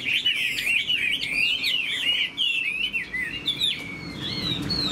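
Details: A kept Chinese hwamei, tail spread and wings flicking, pours out a rich continuous song of looping whistled notes that swoop up and down, rapid and unbroken, ending in higher clear slurs.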